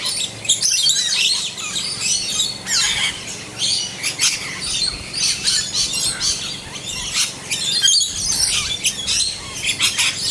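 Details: Several rainbow lorikeets (Trichoglossus moluccanus) chatter while feeding on bottlebrush flowers in an Australian back yard, a dense continuous stream of shrill, scratchy screeches and chirps overlapping with no pause.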